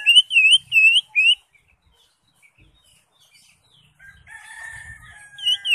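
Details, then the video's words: Cucak hijau (Greater green leafbird) ngentrok song: three loud arched whistled notes in quick succession, then a quiet pause, then a steady buzzy tone in the background before one more note at the end. "CUCAK HIJAU (ijo) NGENTROK JAMBUL GACOR FULL ISIAN"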